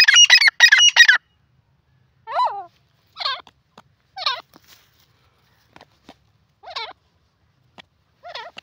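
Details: Grey francolin calling in a jungle: it opens with loud, harsh, rapid shrill bursts, then quieter wavering notes follow at irregular intervals of about a second, with faint clicks between them.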